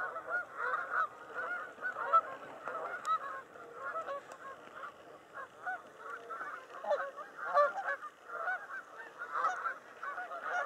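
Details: Canada geese at Cayuga Lake in mating season, a flock honking continuously with many overlapping nasal two-part honks rising and falling in a busy chorus with no pause.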